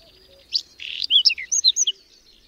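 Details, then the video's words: Whinchat in a May blizzard in the Berezinsky Biosphere Reserve: a short loud phrase of a harsh rasping note followed by six or so clear, rising and falling high whistles. "Луговой чекан в майскую вьюгу"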